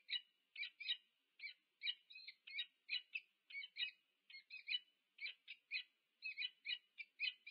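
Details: At their UC Berkeley nest in the USA on 2 November 2022, two peregrine falcons meet and exchange clipped, hoarse double and triple notes, repeated at an even pace with brief silences between.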